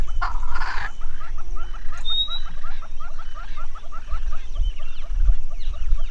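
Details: On a December morning in Tsavo East National Park, Kenya, a male rosy-patched bushshrike sings a love song seeking a mate: a fast series of short whistled notes, about four a second, higher notes joining later, over a steady low rumble.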